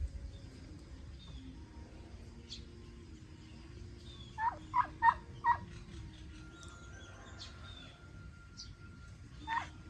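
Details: Turkey calling against steady background hum: a run of four short, sharp, rising notes in about a second, with faint scattered chirps and one more similar note near the end.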